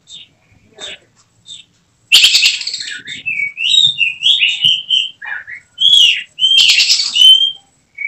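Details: Caged oriental magpie-robin (kacer) with contest potential, singing a harsh rattle burst followed by flowing whistled slurs and twisting phrases, another rattle, then more clear whistles.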